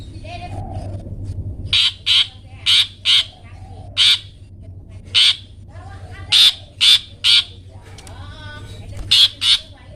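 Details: Long-tailed shrike, 'toet toet' style, recorded as training material for caged songbirds: after a quiet start, a run of rough, grating bursts, often doubled, with faint softer twittering between them and a low background hum.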